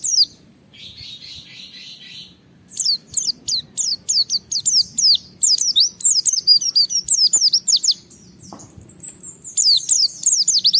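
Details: Challenging Japanese white-eye singing to goad rivals: a brief buzzy chatter, then long fast sequences of shrill, downward-slurred whistled notes, roughly three per second, over faint low background noise.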